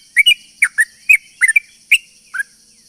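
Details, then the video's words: Sooty-headed bulbul in long rapid lure song aimed at drawing other bulbuls: clear liquid, downslurred double notes repeated about three times a second, steady high-pitched hum underneath. "pancingan burung trucuk gacor ropel panjang ini bikin semua burung trucukan yaut seketika"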